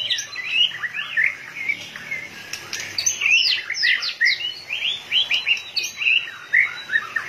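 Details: White-rumped shama, in peak singing condition and flicking its tail rapidly, delivers a continuous rich song of varied whistled phrases, sweeping and slurred notes, and quick trills, with almost no pause between bursts.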